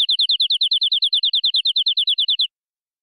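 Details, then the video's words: Local forest-origin canary, full-filler cengkok song: a single clear trill of about twenty evenly paced, slightly rising-falling high notes lasting two and a half seconds, followed by silence. "Suara Burung Kenari Lokal Full Isian"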